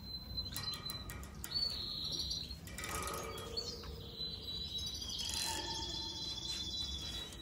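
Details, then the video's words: Several budgerigars chattering in a busy warble of high whistles, clicks and buzzy notes. The sound swells in the middle and again near the end, with a steady faint hiss behind it. "Волнистые попугаи"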